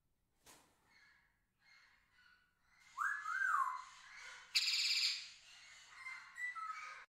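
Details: Pet Indian ringneck parrot starting with faint soft calls, then a loud, harsh screeching squawk with a curving whistled note, followed by shrill, grating calls that trail off.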